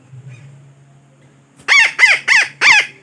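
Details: Parakeet call played as a lure for trapping: after a quiet start with low hum, four loud grating squawks follow rapidly, each a rising-then-falling harsh note.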